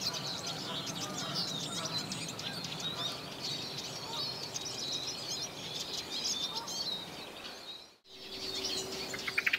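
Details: A male Eurasian siskin sings from a perch in March–April 2010, a fast, continuous twittering and wheezy warble, high-pitched and chattering; siskins also feed on sunflower seeds on the ground, with other birds and light background noise.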